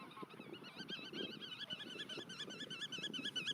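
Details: Black-tailed godwits in a nature reserve, calling in a fast, continuous series of nasal, wavering notes with rich upper tones, repeated several times a second; a low, busy murmur of other waterfowl runs underneath.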